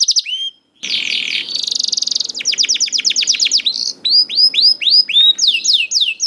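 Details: Young canary singing to stimulate canaries that are slow to sing: after a short gap, a buzzy roll and fast trills give way to repeated high downslurred notes, with some low background hiss.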